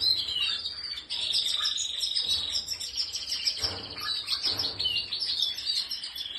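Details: Spanish Timbrado canary pouring out a dense, continuous high rolling trill that varies slightly in pitch, with soft low background rumble.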